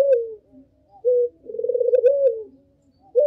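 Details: Puter dove lure call, used to attract all kinds of puter: a falling coo, a brief flat note, then a long pulsing coo that trails down, with a short rising note at the close.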